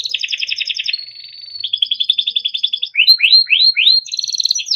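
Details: Timbrado canary training song: a fast rolling trill, a soft sustained buzz, another rolling tour, then four loud rising sweeps and a closing rapid roll.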